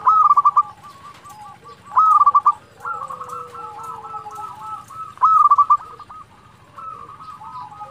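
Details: Local zebra dove song meant to stir rival birds to answer: rapid rolling coo phrases, three loud ones among quieter stuttering coos from other doves, over a low continuous hum.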